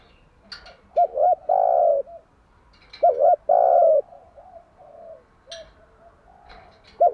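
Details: Spotted dove cooing at dawn as a lure for training doves: two clear phrases of paired short notes followed by a long mellow coo, trailing softer coos and brief clicking sounds.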